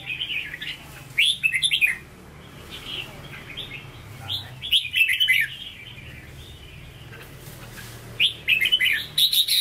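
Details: Caged Hue-style red-whiskered bulbul singing 'hót ché': three short bursts of sharp warbled notes several seconds apart, over a steady low background hum.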